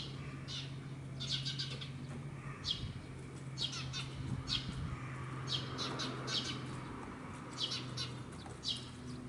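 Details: Parent Eurasian tree sparrow guarding a fledgling at an apartment bicycle park, calling to draw a predator's attention. Scattered runs of sharp, high chirps in quick pairs and triplets over a steady low machine hum.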